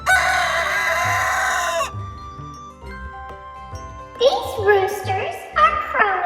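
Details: Rooster crowing loudly in a long drawn-out cock-a-doodle-doo. A stretch of tonal background music follows, then further shorter crowing and clucking calls.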